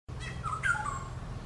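A Black-hooded oriole gives a brief, fluty whistled phrase with a clear mid-pitched note sliding downward, over a steady low background rumble.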